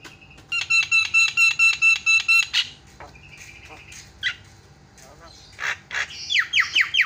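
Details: A Javan myna calling, used as a lure to get idle mynas to call: a rapid series of harsh, buzzy, evenly spaced notes, then scattered squeaks, whistles and descending chattering notes.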